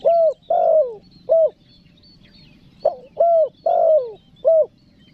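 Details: Spotted dove (tekukur) calling in the "nekan nguku" style used to lure wild doves: low, rounded coos, some single and some drawn out, with a gap of nearly two seconds midway over a faint low hum.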